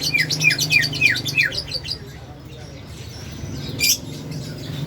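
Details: Greater green leafbird (Chloropsis sonnerati) giving an unusual call: a quick series of four or five high, downslurred squeaky notes, then a brief sharp chip, over a low indoor hum.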